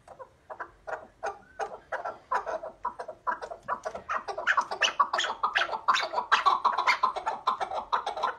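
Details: A chukar partridge gives harsh, clucking chuck notes that speed up and thicken into a rapid, overlapping chatter of repeated chukar phrases.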